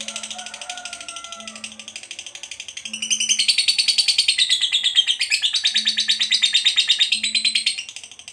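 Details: Fighter lovebird chattering in the long ngekek style, starting softly with a few thin whistles over low background tones, then swelling into a loud, rapid run of harsh pulsed notes lasting about five seconds.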